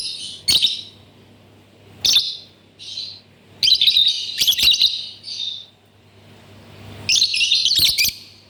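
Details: Lovebird vocalizing in reply to birds on a screen: bursts of harsh, buzzy high chattering lasting about a second each, separated by short pauses, with sharp clicks and a faint low hum in the background.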